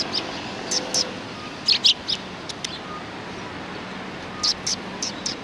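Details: Several sparrows behind a civic culture hall on 17 January 2020: brief sharp high chirps in scattered pairs and short clusters over a steady low background hum.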